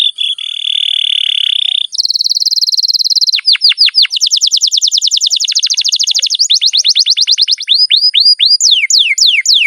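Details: Caged canary singing a long rolling song meant to draw other canaries into song: steady whistled tone, a higher buzzy trill, then fast repeated sweeping notes and slower downward slurs at the close.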